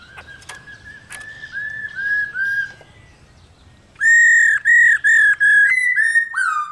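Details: Female black-throated laughingthrush giving its continuous call meant to stimulate males: a soft run of short whistled notes, then louder, clear whistles repeated about every half second, each slightly falling, with a few sharp clicks early on.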